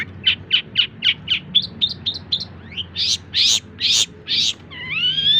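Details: Long-tailed shrike in a full tutor recording for teaching songbirds: a rapid train of short chirps, then louder, broad harsh notes, ending in a drawn-out, wavering whistle.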